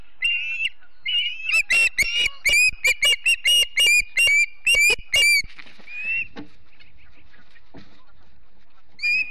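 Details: Montana Ospreys at the Charlo nest on a September morning, 2016, live nest camera; a couple of drawn whistles, then a quick run of about ten sharp chirps, a trailing slurred note, quiet, and one more whistle.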